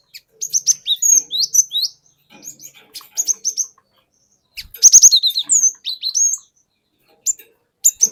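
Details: Wild-caught cinereous tit from the forest singing a lure song to provoke other birds: bursts of high whistled and slurred notes, some falling, with rapid chattering phrases separated by short pauses.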